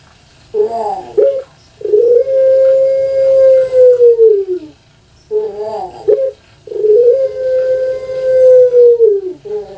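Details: Kept Barbary dove (puter pelung, Streptopelia risoria) from Java gives two coos, each a short wavering opening followed by a low, drawn-out note held about two seconds that sags at the end.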